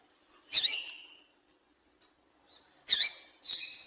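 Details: Female double-collared seedeater chipping to stir males into song: a single sharp high note, a gap of over two seconds, then a chip followed at once by a longer hissing note.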